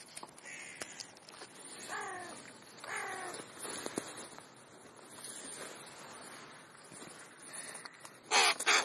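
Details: Crow feeding, giving a short caw, then two harsh caws about a second apart, a quiet stretch and a final caw, ending with a burst of rustling.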